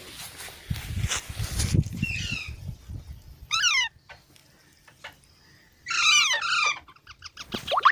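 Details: Rustling and bumping noise comes first. Baby parrots then give harsh, descending squawks, including a loud double squawk and a quick run of short chattering notes at the end.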